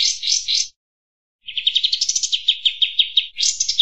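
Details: Kampas tembak bird in vigorous song, used as a master recording for training other birds and for lure trapping: high, dense buzzy chatter, a short burst, a pause, then a long rapid series of sharp repeated notes.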